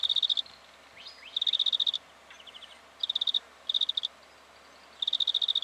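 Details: Black-fronted dotterel in Victoria, Australia, during October 2011: five bursts of rapid, high metallic pips at uneven intervals, interspersed with faint upslurred whistles and soft ticks.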